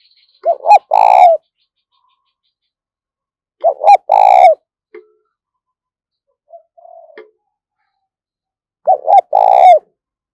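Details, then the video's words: Spotted dove decoy bird giving urging and calling coos used to lure wild doves; three deep, burry coo phrases spaced about three seconds apart, each a short double note followed by a longer rolling coo, with a faint brief murmur between. "Tiếng Chim Cu Gáy Thúc Và Gáy Gọi Sung, Dùng Kích Bổi Rất Hiệu Quả"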